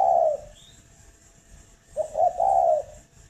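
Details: Spotted dove kept at a breeding farm near Hanoi, Vietnam. The end of one coo is followed after a pause by a full phrase: two quick soft notes, then a longer, rolling, mellow coo.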